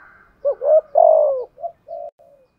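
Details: Spotted dove kept as a decoy, 'thúc gù' cooing in 'giọng thổ' style: a quick pair of coos, a long loud falling coo, then three short soft trailing notes.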